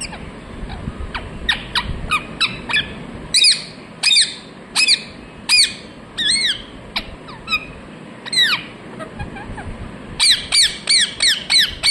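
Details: Steady parrot chirping: many short squeaky calls and louder ringing, downward-sweeping chirps repeated more than once a second, with a brief quiet spell before a final rapid series.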